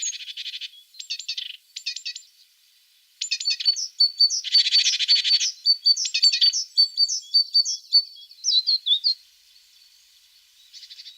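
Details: Singing tit with short buzzy rattles alternating with sharp, high chirps and quick trills, a harsh broad burst in the middle, and a long stretch of rapid clipped notes before the song fades to quiet.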